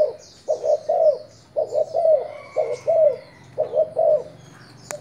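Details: Spotted dove of a Thai line used as a decoy caller, giving low mellow coos in three phrases, each a group of two or three rounded hoots rising and falling, spaced about a second apart, with a faint high twitter behind.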